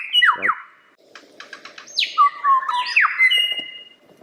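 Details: Lyrebird song with quick downward whistles, a soft rapid rattle, then long sliding whistles and bright clear tones over a low hum.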